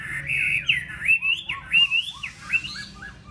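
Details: Home-kept Chinese hwamei with a golden bill in Vietnam, delivering quick bouncing whistles, each note swooping up and over, in a fluent rapid series.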